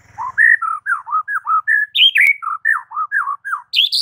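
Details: White-rumped shama in morning song, aimed at making rivals reply straight away. Crisp, mellow whistled notes, each a short swooping slur, repeated in a brisk steady string, ending with a higher rising phrase.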